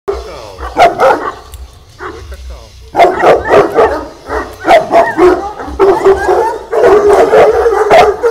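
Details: One-year-old Fila Brasileiro dog in its first encounter with a training decoy, barking to guard and protect: deep, rough barks in rapid irregular bursts after a quieter start, with some human voice mixed in.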